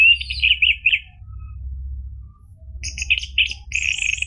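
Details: Orange-headed thrush phrases used as a singing lure for a caged bird: a short warbled burst, a pause, then buzzy high chattering notes, over a steady low hum.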